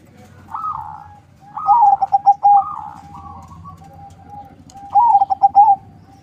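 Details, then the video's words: Captive-bred zebra dove, a local crossbred Bangkok-line bird kept as a lure bird, singing two phrases of rapid pulsed cooing: a rising coo then a burst of quick stuttered notes ending in a trill, repeated after a pause; faint low rumble beneath. "Perkutut crossing lokal silangan bangkok suara merdu, untuk pancingan"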